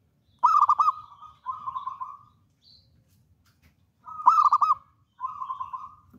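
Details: Local wild-type zebra dove, described as bold and in full song, singing in a quiet setting: two phrases, each a burst of rapid, stuttering, bubbling coos followed by a smoother rolling coo, about four seconds apart.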